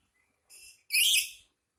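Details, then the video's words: Black-capped lory in an angry mood: a softer raspy note followed by a louder, longer harsh screech, both grating and noisy, with near silence around them. "Burung sahabat lagi marah"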